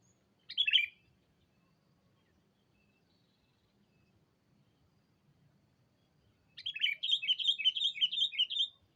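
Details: Sooty-headed bulbul lure call meant to summon a rival: one short chirp burst, a long pause, then a quick rattling series of about ten bright, bouncing notes lasting over two seconds.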